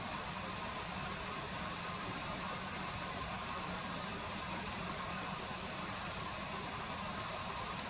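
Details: Common kingfisher by a river in early September 2020, hovering and catching small fish; call dubbed in. Thin, high piercing notes, sharp and short, repeated about twice a second in a steady series over faint background hiss.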